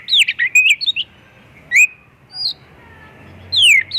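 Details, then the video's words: White-rumped shama singing a busy run of rapid chirps and warbled notes, then isolated rising and falling whistles, a recording meant to lure other shamas into song; light background hiss. "Kacer gacor full isian pancingan burung Kacer"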